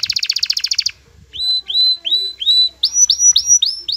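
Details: Excited male canary courting a female so she takes the mating posture: a quick bright roll, then a series of clear rising slurred whistles repeated roughly twice a second.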